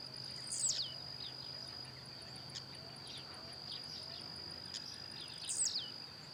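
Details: Singing blue-black grassquit hopping in the wild: a brief buzzy note dropping steeply in pitch, repeated about five seconds later, between faint ticking sounds and a constant high insect whine.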